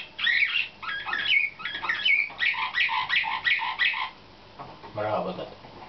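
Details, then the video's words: Young 2013 Slavujar (nightingale-type) canary, selected for competition and in training, sings a run of short, bright, repeated notes and chirpy phrases for about four seconds, then falls quiet before a brief lower-pitched sound. "CANAR SLAVUJAR"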